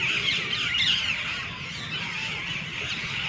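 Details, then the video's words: Many green parrots with red beaks on a treetop at evening time, a steady wall of shrill, blended squawking and chirping from the group, louder at the start and slightly softer toward the end. "Sweet chirping sound of Parrots"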